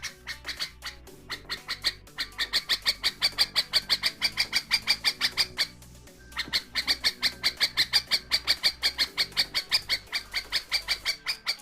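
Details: A pet nightingale sending a warning: loud, harsh harmonic calls repeated about three times a second in steady runs, with a brief pause near the middle, over a low constant hum.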